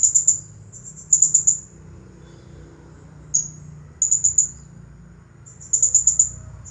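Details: Nonstop 'nagih hutang' style song from a champion Blue-crowned hanging parrot: piercing, very high chirps delivered in fast clusters of four or five notes, repeated roughly every second and a half, plus a lone sharp note between.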